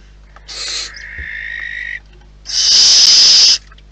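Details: A wild barn owl at the nest gives a short screech that trails into a drawn-out, thin, tonal hiss, then a long, very loud rasping hiss lasting about a second.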